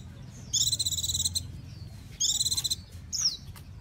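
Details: Japanese white-eye giving two short buzzy, rattling bursts of high notes, then a brief downslurred whistle, against steady low background noise.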